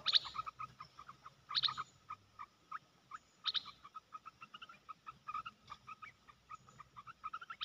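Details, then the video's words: Decoy red-whiskered bulbul in a cage, set on the ground while it keeps displaying; scattered short chirping notes with three louder, sharper high bursts near the start and middle, spaced irregularly across several seconds. "ต่อนกกรงตาแดง รำไม่ยอมลง ตั้งดินเสียเลย suara merbah belukar"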